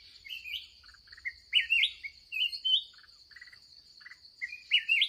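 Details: Feisty wild red-whiskered bulbul during an end-of-day trapping session; loud bubbly whistled phrases alternate with rapid stuttering note clusters, repeated several times over a persistent high insect drone.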